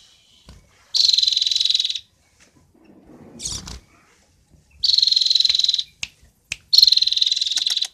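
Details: Cinereous tit (gelatik batu) from Roban, Subah, Batang, filled song of three dense buzzing trills, each about a second, with a brief harsh rasp and isolated clicks between.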